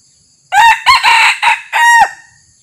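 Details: Crow of a red junglefowl at a decoy setup, where the territorial local male came in silently. A loud, raspy crow of four bursts, short then longer, finishing in a sustained, slightly falling note. Quiet background.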